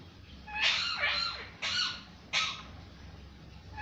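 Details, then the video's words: Parrot uttering loud raspy, harsh squawks, one long and two shorter, separated by brief pauses, with low background hum. "parrot voice"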